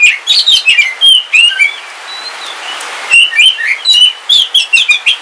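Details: Captive oriental magpie-robin of the Kalimantan black form, kept as a house bird, singing on a rainy day: bursts of loud, varied whistled and chirping phrases, a quiet pause with faint distant birds over rain hiss, then rapid whistles again.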